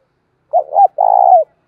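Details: Decoy spotted dove giving its luring coo: a pair of quick rising-falling notes leading into a sustained, finely pulsed coo about half a second long, clean and loud against silence.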